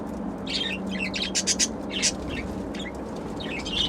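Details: Pet budgerigars being given food chatter in quick, scratchy chirps and warbles over a low steady hum.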